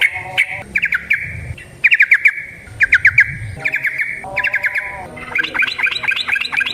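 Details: Yellow-vented bulbul singing in wild style, used as a lure, 'ropel panjang' song: groups of three to four fast chirps in short phrases, then a run of higher sharp notes.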